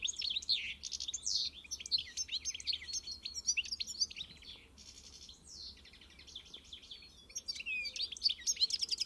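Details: Pintassilgo, the European goldfinch, pouring out fast liquid twitters and short trills, loud at first, fading softer in the middle, then returning to bright chattering phrases at the end.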